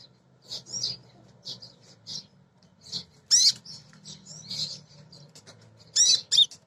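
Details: Female crimson sunbird calling for males, used to lure other birds into singing: short high sharp chips and twittering notes in scattered bursts, with a few louder sweeping squeaks near the start and end over a faint low hum.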